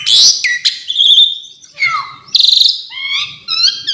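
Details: Asian pied starling giving varied fill-in song, with a loud harsh burst, a steady held whistle, a falling slur, then a fast rattling trill and wavering stacked whistles.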